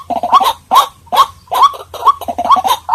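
A white-breasted waterhen gives harsh, croaking notes in quick bursts, roughly two or three a second, with a low hum underneath.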